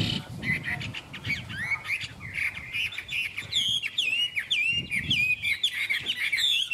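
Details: Chinese hwamei from Vietnam, known for its fine voice: sweeping, sliding whistles build into fast, repeated rising-falling phrases, with a few low thuds early on.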